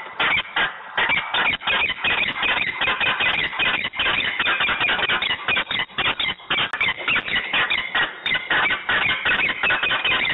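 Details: Quarrelling peregrine falcon, Włocławek, Poland, afternoon of 15 November 2020 at 14:22; a dense, unbroken stream of loud, rasping, squealing notes fired in quick succession with barely a gap.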